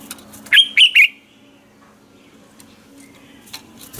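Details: Red-whiskered bulbul morning lure song in ché style: three loud, looping whistled notes about a quarter second apart, then faint background chirps and low hum.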